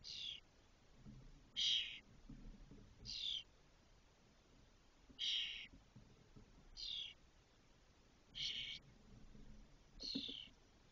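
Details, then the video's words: Six fully feathered spotless starling chicks ready to fledge from a nest in a cork oak, Doñana National Park, Spain, 2023: a series of seven short harsh, hissing high bursts spaced one to two seconds apart, faint low rumbles beneath. "Estornino negro Sturnus unicolor - Spotless starling"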